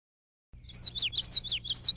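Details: Common yellowthroat male, foraging in Illinois, May 2019, sings a fast string of repeated rolling phrases, high notes swooping down, over continuous low background hum.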